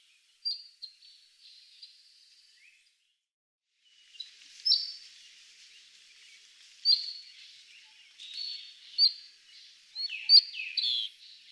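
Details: Cinnamon-chested bee-eaters (Merops oreobates) in highland forest of Aberdare National Park, Kenya, give high, thin chirps and short rolling trills at irregular intervals over a soft background hiss.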